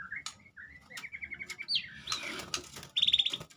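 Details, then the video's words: Medan white-rumped shama in lively song: a run of clear, evenly repeated whistled notes, then a swooping slurred phrase and a rapid buzzy trill near the end, with faint rustling in the background. "murai batu medan pasang Ranyuan"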